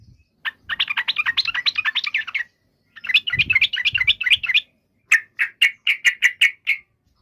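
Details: Yellow-vented bulbul with two long stretches of fast, bubbly chattering notes, then a slower series of about eight clear, evenly spaced chips.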